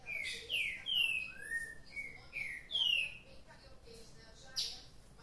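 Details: Caged green-winged saltator waking up lively sings loud clear whistled phrases, slurred notes sliding down and up, repeated twice in about three seconds, followed by a short sharp chip.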